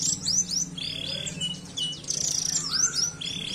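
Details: Canary singing a dense, high-pitched song of fast rising and falling whistled sweeps and short trills, with a steady low hum underneath.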